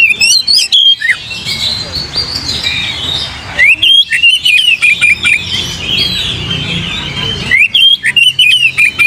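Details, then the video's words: Oriental magpie-robin song meant to provoke singing: crisp bursts of clear whistles, upslurs and chips open and close the passage, with a softer, blurred warbling stretch between them. "PANCING KACER"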